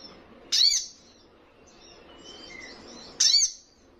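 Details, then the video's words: Juvenile little spiderhunter gives two loud, sharp, high chirps about two and a half seconds apart, with faint soft twittering in between. "Sogon trotolan paling gacor dan bikin emosi lawan!"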